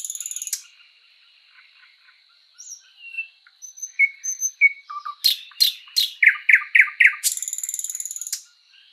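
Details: Sprosser (thrush nightingale) in spring forest song: a rattling burst, a pause of soft thin whistles, then loud clicks and a quick train of repeated chock notes closing in a dry, fast rattle.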